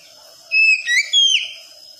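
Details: Oriental magpie-robin, a wikplong-style phrase used as therapy to make a young untrained bird sing: a short loud phrase of three clear whistles, a flat note, a quick upward slur, then a long falling whistle.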